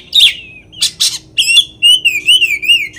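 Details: Provocation song of an Oriental magpie-robin: a sharp whistle, two harsh noisy bursts, then a long fluttering, rolling whistled warble.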